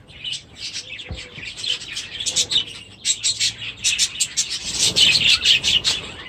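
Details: Budgerigars with new chicks in aviaries chatter steadily, a dense run of quick chirps that grows louder toward the end, several birds calling at once.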